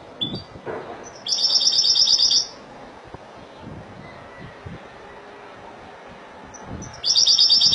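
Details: European goldfinch of the Spanish Malaga style singing: a bright, rapid trilled phrase of about a second, a long quiet gap, then the high tinkling trill starts again at the end.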